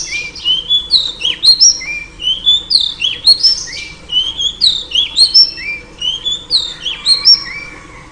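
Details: Female oriental magpie-robin calling to lure a male: a steady, lively stream of clear whistled notes, upslurs and downslurs, about two or three notes a second for eight seconds.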